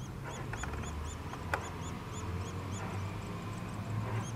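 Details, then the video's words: Nuttall's woodpecker chicks begging while being fed. High, arched squeaky notes repeat about three to four times a second throughout, with a steady low rumble and a sharp knock beneath. "Nuttall's Woodpecker Feeding Chicks"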